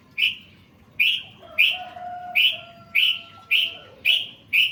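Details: Sooty-headed bulbul in a training recording for songbirds: a run of eight sharp, high, clipped chirps, roughly one every half to one second, fairly even in pitch, with a faint low tonal line in the background.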